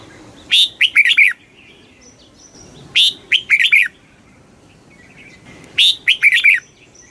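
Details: Red-whiskered bulbul in quick stimulating song: three matching phrases, each a rising note followed by a rapid cluster of warbled, down-slurred notes, coming about every two and a half seconds, with soft high whistles between.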